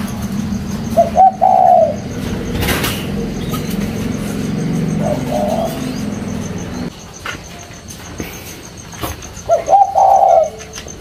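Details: Caged spotted dove, a leg-ringed bird, cooing: two short low hooted phrases, one early and one near the end, over steady low traffic-like rumble.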